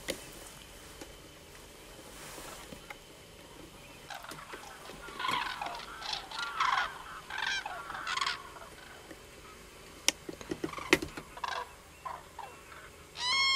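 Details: Common cranes heard in a burst of rough, overlapping calls in the middle, then sharp clicks and one clear, loud harmonic crane call right at the end.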